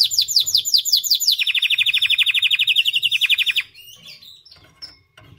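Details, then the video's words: Singing white canary delivers a fast high trill that drops into a steady rolling trill of even repeated notes for about two seconds, then stops, leaving soft chirps and quiet room hum. "White Canary Singing 🎶 Kanarienvogel Gesang"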